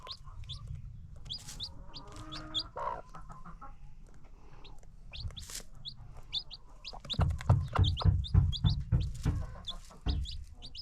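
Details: Baby chicks with free-range farm chickens: a steady stream of high, piping peeps, about three per second, joined midway by a burst of clicking clucks and scratching noise.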